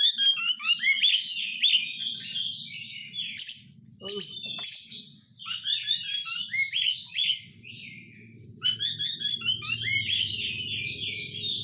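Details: White-rumped shama lure song crowded with tight 'crecetan' chatter: rapid continuous twittering and whistled runs, a few sharp harsh bursts midway, then renewed dense warbling over low background rumble.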